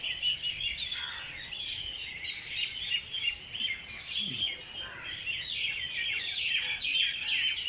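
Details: Early morning in Jilani Park, Lahore: a thick chorus of high, quick chirps and tweets from many birds, steady and busy with almost no low background.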